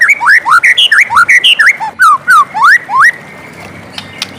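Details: White-rumped shama singing in the morning, a lively phrase of varied slurred whistles, rising and falling, about three notes per second, then falling quiet.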